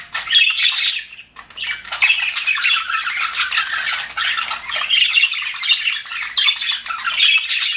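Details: Cheerful budgerigars in an aviary chirp and warble over each other in an unbroken, bright chatter of rasps and squeaks after a short lull near the start.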